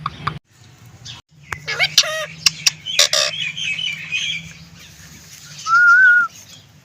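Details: Green rose-ringed parakeet talking, with a burst of raspy, speech-like chatter and clicks followed by a sustained, slightly wavering whistle near the end, over a low steady hum.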